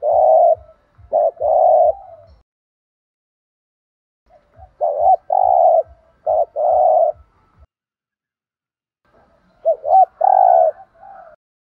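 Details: Spotted dove thúc gù cooing in the thổ đồng voice: clipped hoots and longer drawn coos in three bursts separated by pauses, with quiet regular low ticking in the background.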